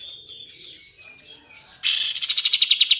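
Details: Sooty-headed bulbul (kapas tembak) meant to make quiet birds sing: gentle high chattering and a thin whistle, then an abrupt loud rapid pulsed trill sliding slightly downward.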